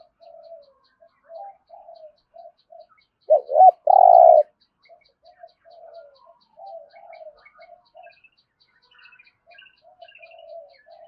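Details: Spotted dove giving its thúc gù coo in the rolling thổ rền voice style; soft, scattered low coos, then one loud burst of two hooting notes midway, with faint high ticking in the background.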